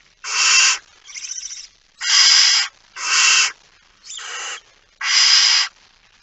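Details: Barn owl at the nest while feeding, 19 September 2019, 05:28: six snoring hisses, loud ones alternating with weaker wavering ones, about one every second.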